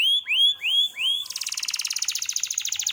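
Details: Gacor canary song: four rising whistled notes about three per second, then a fast dense rattling trill.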